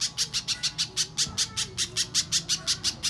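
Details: Little spiderhunter lure sound for getting untrained birds to sing: sixteen or so bright, sharp chips in quick, even succession over about three seconds.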